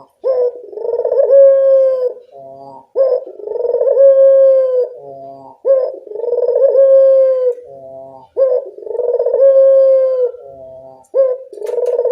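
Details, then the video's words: Evening calling of a Barbary dove, played to lure and stir doves that rarely call: rolling, throaty coos, each about two seconds long, repeated roughly every three seconds. Short softer notes fill the gaps between coos. "Suara burung puter senja hari pemikat burung puter malas bunyi"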